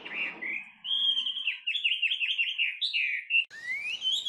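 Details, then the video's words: A Chinese hwamei singing outdoors in nature: a loud, rich run of clear whistles and quick slurred notes rolling up and down, then a brief pause and a rising whistled phrase. "Tiếng Hót Chim Họa Mi"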